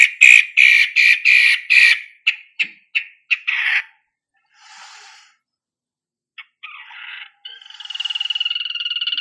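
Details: Long-tailed shrike song used as a lure to make other birds sing: a run of loud, harsh repeated notes, then short fainter rasps after pauses, ending in a fast buzzy trill.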